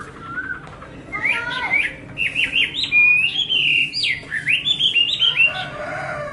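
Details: Varied whistled song from a hwamei: low warbled notes first, then a chain of looping high whistles, a long sliding note and quick rippling phrases.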